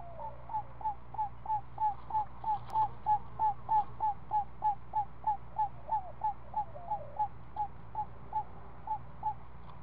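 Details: Week-old owl owlet at the nest, being fed snake by its mother in the afternoon: short clipped downslurred notes repeated about three per second, steady and even, over a constant low hum.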